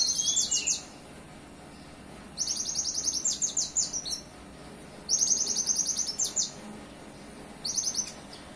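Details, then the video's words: Olive-backed sunbird song carrying cililin-style phrases, delivered in about four bursts of rapid, very high buzzy trills, each lasting about a second and separated by short pauses. "Konin isian cililin"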